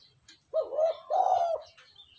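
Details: Low mellow coo of a spotted dove, used for stimulating a decoy bird to call: two joined notes, the second longer and steadier, over a quiet background with soft distant chirping.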